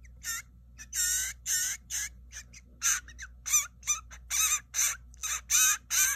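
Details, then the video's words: A hand-raised baby Blue Jay begs while being fed, giving harsh, raspy squawks, about two each second, loud and steady with short gaps between them. "Feeding Baby Blue Jay"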